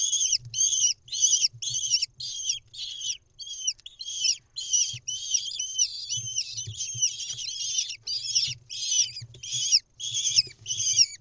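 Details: Lesser kestrels at a nest box in Israel on 10 May 2021, when the chicks are about ten days old and the mother brings a mouse: harsh, raspy chattering calls in rapid bursts, almost without pause, with faint low thumps and rustling.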